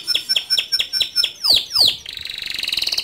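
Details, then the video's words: Male canary singing in a lively, continuous rolling style: a row of quick evenly spaced high chirps, two sharp downward-sweeping whistles, then a fast buzzy trill near the end. "Suara Kicau Kenari Jantan Gacor Ngerol Nembak Cocok Dijadikan Masteran Kenari Muda"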